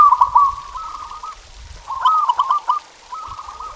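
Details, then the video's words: Zebra dove song to encourage pet doves to sing: rapid bubbling coo trills with a brief lull between phrases, ending in a softer rolling phrase. "Suara Masteran Perkutut Ini Bikin Burung Kamu Nggak Mau Diam!"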